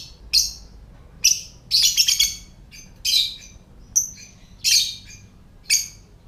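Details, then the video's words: Lovebird giving its ngetik (typing) call, used to stir other lovebirds to call and come into breeding condition: sharp, shrill, high chirps in irregular bursts, some single, some run together, over a quiet background. "Lovebird Suara Ngetik"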